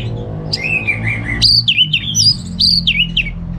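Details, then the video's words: Orange-headed thrush, a captive bird from Singaraja in North Bali, delivering a varied song: a low wavering warble, then loud looping whistles repeated in quick bursts over a steady low background hum. "Receh & Jos Suara ANIS MERAH Berkicau"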